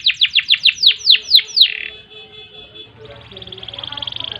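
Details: Canary song, long ngerek style; about ten sharp descending notes repeated quickly, a thin sustained tone, then a faint trill with low background noise.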